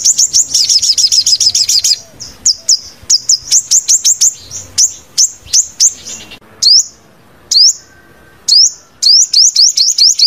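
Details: A five-colour sunbird's fast, stimulating song, used played over a loudspeaker for trapping: high and thin, a fast sputtering trill, then sharp upslurred notes repeated in quick bursts with brief pauses.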